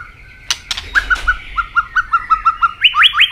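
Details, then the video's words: Robin singing, an Asian bird: after a couple of sharp clicks, a string of short, clear notes repeated steadily at the same pitch, finishing with several quick rising whistles. "Robin singing"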